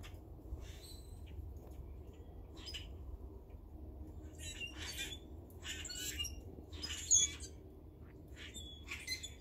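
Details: Grackles in a tree give harsh, rasping squawks in scattered bursts, with one thin high squeal, over a steady low rumble of background noise.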